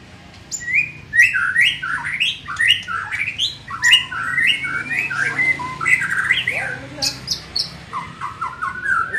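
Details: Young white-rumped shama undergoing training pours out a lively, varied song: rapid rising whistles, chattering slurs and thin high notes in uneven bursts, backed by a faint low mechanical hum.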